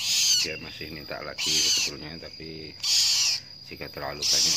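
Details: A newly hatched baby cockatoo being hand-fed gives harsh, hissing rasps in bursts about every second and a half, with softer low murmuring between them.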